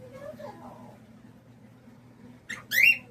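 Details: Green Quaker parrot, a talking bird in a pet store: soft, faint, speech-like warbles at first, then a short pause and a loud, harsh, rising squawk near the end, over a steady low electrical hum.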